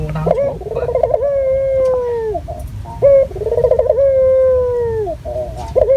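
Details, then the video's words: Local Barbary dove used as a lure, calling actively in a clear, natural voice: a rolling, quavering start slides into a long, steady, drawn-out coo, falling at the end. The phrase repeats about every three seconds. "Pancingan Burung Puter Lokal Gacor Suara Jernih Alami"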